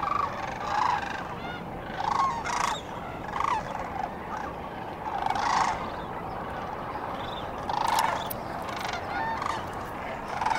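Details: Dawn chorus of sandhill cranes at the Cosumnes River, with grating, trilled calls rising in loud clusters every one to two seconds, some fainter distant birds answering between them, over a continuous low rushing background.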